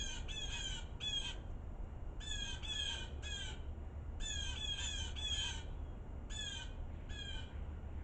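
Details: Blue jays scolding in snow during a winter storm: series of harsh, nasal, descending jay notes in quick clusters of two to four, repeated across eight seconds over a steady low storm rumble.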